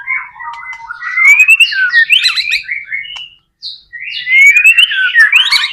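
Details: Persistent song of a white-rumped shama, played to encourage other shamas to sing: sweeping rising whistles and slurred warbles, a short pause, then a long upward-sliding whistle with chattering notes.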